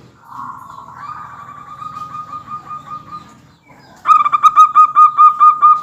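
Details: Zebra dove of local stock singing keenly, used to prompt other doves to answer: a soft rising then level whistled tone, a brief gap, then a loud burst of ringing staccato notes roughly five per second.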